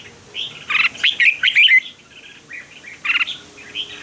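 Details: Fighting song of a red-whiskered bulbul, used for voice training to spur birds into fierce competitive singing. One fast, loud, liquid warbling phrase of rolling notes, then a short separate burst of two or three chirps.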